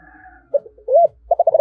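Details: Spotted dove giving a calling coo in the 'giọng thổ' voice style: a few low hooked coos, then a quick run of short, even, hollow notes at one steady pitch.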